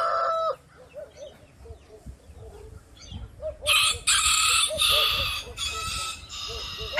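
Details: Rooster crowing at dawn: the tail of one crow, a stretch of soft short clucking notes, then a loud, harsh, noisy crowing section broken into several segments.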